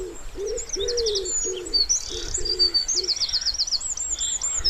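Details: Springtime wood pigeon near a pond: loud, hollow coos in a quick series of about six notes, accompanied by sharp chirps and a fast, ringing trill from another bird.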